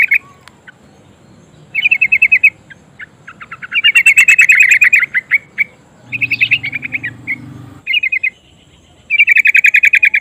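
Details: A female yellow-vented bulbul calls a male with repeated rolling trills of rapid, clipped chirps, several bursts separated by gaps, with a brief low rumbling noise partway through.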